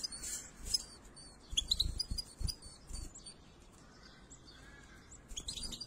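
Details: Goldfinch chicks in their nest being fed by the male and female parents: scattered high, thin squeaks and chirps amid low thumps and rustling from the nest, with a brief chirpy burst at the close.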